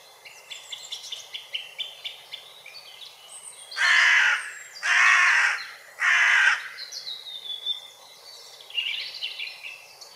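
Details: Hooded crow (Corvus cornix) giving three loud, harsh, drawn-out caws about a second apart in the middle of the clip, framed by fainter high chirping and twittering of small birds before and after.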